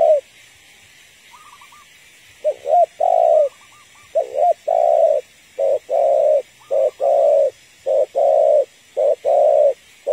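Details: Female spotted dove calling to stir a male: a run of mellow, throaty coos, short double notes alternating with longer falling ones, roughly one per second, with faint higher trills early on.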